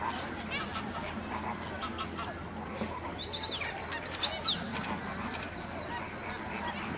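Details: Black crowned crane at Slimbridge giving a short burst of harsh, honking calls midway through, over a steady background hum and scattered faint chatter.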